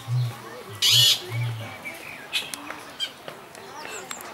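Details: Blue-billed curassow (Crax alberti) displaying in captivity at Vogelpark Walsrode, Germany; a deep bass hum comes in low pulses during the first second and a half, masked by a loud burst of noise and the whistles and chatter of other birds.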